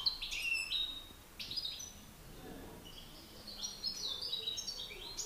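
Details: Singing contest between male European goldfinches, master versus excited bird: quick liquid twitters and sharp rising notes in clusters, with a quieter gap mid-way before the chatter resumes.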